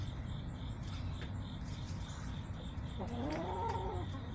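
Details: From a backyard chicken flock recorded September 20, 2024, a single rising, nasal hen call sweeps upward late in the clip, preceded by quiet rustling and a constant low hum.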